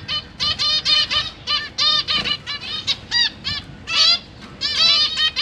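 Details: Captive zebra finches, parents feeding three new babies and three juveniles, 12 September 2023; near-continuous series of short, nasal, harmonic honks from several birds, evenly spaced with brief gaps and a louder burst near the end.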